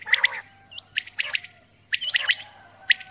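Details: A female common quail gives rasping doubled notes at roughly one-second intervals in the early morning, while a brief upslurred whistle from another bird sounds once early on.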